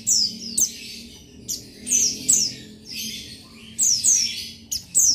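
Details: Rival-calling male buxtoni Oriental white-eye gives sharp, high, downward-slurred chirps in quick clusters, separated by brief pauses and soft background twittering.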